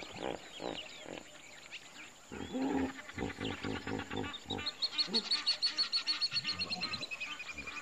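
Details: Pied Kingfisher in Kruger Park gives a fast run of sharp, high chirps, several per second, after lower pulsed grunting sounds, over a steady high insect hum.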